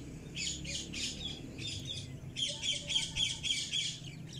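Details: Pet cockatiel parrot squawking: short raspy notes, a few at first, then a louder run of about eight rapid harsh calls, with a faint hum behind.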